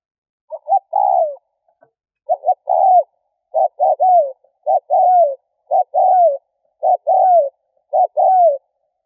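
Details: Spotted dove giving a luring call over and over: paired short coos, each followed by a drawn-out downward-sliding coo, about seven phrases at a steady pace with nothing else heard.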